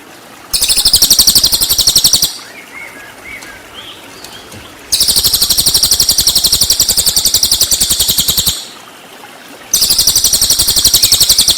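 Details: Cililin full 'tembakan' master song for white-rumped shama: three long runs of rapid, loud, buzzy high-pitched trilling, each two to four seconds, separated by short pauses with faint chirps.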